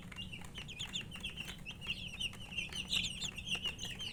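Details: Chicks, called murgi chicks, chirping from thirst for drinking water: many shrill, rapid high peeps overlapping continuously, with a steady low hum underneath.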